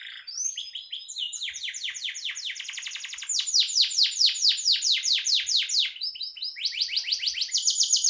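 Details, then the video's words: Canary singing continuously, a model for training songbirds: varied phrases of quick repeated falling notes, speeding into dense trills, then slower stronger swoops. "Suara burung kenari gacor"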